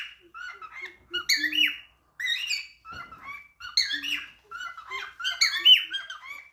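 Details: Cockatiel chatter in talking mode: fast sequences of squeaky, scratchy syllables and bright upward-sliding whistles, with occasional soft low notes, running almost continuously across a few seconds.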